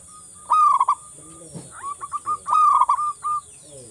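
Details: Singing local zebra dove, aimed at prompting lazy doves to call: two rolled cooing phrases separated by a few short coos and a soft low rustle; faint hiss throughout.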